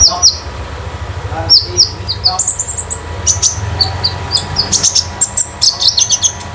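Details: Konin, a 'damer metalik' type kept as a pet bird at home, singing freely as a master bird for others to copy: rapid bursts of high, sharp chirps and short whistled notes, dense and busy, with a low hum underneath.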